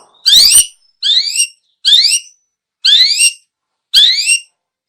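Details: Long-tailed shrike, a recording used for luring birds: five separate loud notes rising in pitch, rich in overtones, spaced roughly one second apart. The background is silent.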